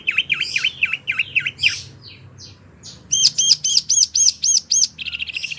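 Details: Wambi singing, meant for teaching oriental magpie-robins and other birds: a run of V-shaped whistled notes, a quieter scattered pause, then a steady train of high ringing arched notes and a final buzzy burst.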